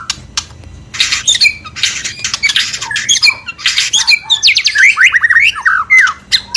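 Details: White-rumped shama mating call to bring a bird into breeding condition: harsh noisy bursts and clicks, then a run of fast rising and falling whistled notes.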